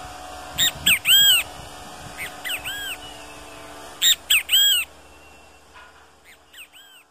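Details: Wild great kiskadee repeating its three-syllable phrase of a sharp opening note and two arched, slurred whistles, delivered twice loudly with softer phrases between, fading to quieter notes at the end; faint low hum.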